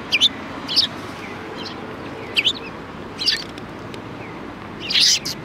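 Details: Chirping sparrows at a Tenmangu shrine on 4 March 2020: five separate short, piercing chirp bursts spaced about a second apart, the last one loudest and harshest, with quiet outdoor ambience.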